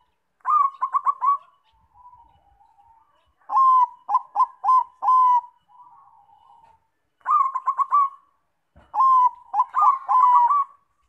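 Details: Bangkok zebra dove song played as a lure to set other doves singing: repeated phrases of rapid purring coos and sustained mellow notes, with quieter low coos between phrases.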